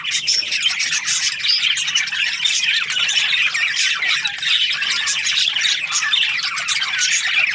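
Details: Happy Australian budgies in breeding season: a busy chorus of rapid squeaky chirps, rasping squawks and thin whistles overlapping without a break.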